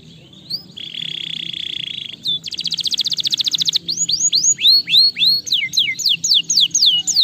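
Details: Canary singing used to stimulate lazy canaries: a steady buzzy rolled tone, a fast high trill of rapid repeated notes, then a series of clear swooping whistles repeated about every half second.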